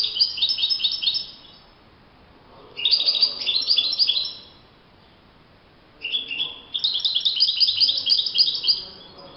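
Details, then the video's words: European goldfinch singing in nature, three bursts of fast, jangling twitter, each one to two and a half seconds long, separated by short pauses. "chant chardonneret le Roi de la nature- Le chardonneret en pleine nature"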